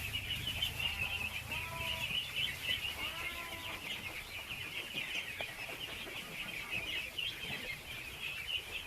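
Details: Thousands of baby ducks crowd together while being fed, their high peeping blending into one dense, unbroken chorus, with a few lower drawn-out notes near the start and a soft low rumble underneath.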